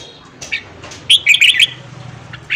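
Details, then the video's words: Red-whiskered bulbul morning song for training newly caught birds. Soft notes lead into a dense burst of five or six bright whistled notes, which trails off quietly over a low hum. "luyện giọng chào mào hót sáng kích lửa cho chào mào bổi"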